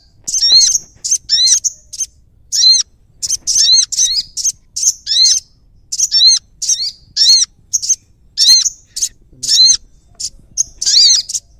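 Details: Prinia calling steadily for about twelve seconds: bursts of thin, high chirps, each with downward-arching notes, coming roughly once a second in an uneven rhythm; background otherwise quiet.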